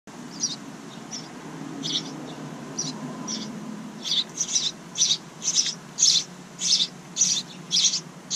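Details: House wren chicks in a bird house outside a kitchen window, the second brood of the year, give harsh, hissing bursts. They start faint and grow loud after about four seconds, then repeat roughly every half second over a low hum.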